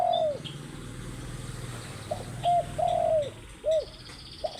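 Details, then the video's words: Spotted dove calling in the morning: a series of low, mellow coos, some short and clipped, others drawn out and gently falling at the end, spaced irregularly over faint background hum. "Burung Tekukur Gacor di Pagi hari"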